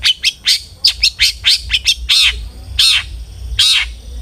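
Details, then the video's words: Long-tailed shrike used as a singing lure: quick harsh scolding notes in a rapid series, slowing to three longer rasping calls spaced under a second apart. "PANCINGAN CENDET AGAR RAJIN BUNYI"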